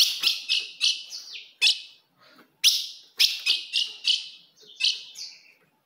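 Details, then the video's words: Female ultramarine grosbeak calling to stir up a male: rapid series of high, sharp chips and short descending slurs, grouped in two bursts separated by a brief gap. "se o seu azulão não segura fogo de fêmea Esse é o vídeo"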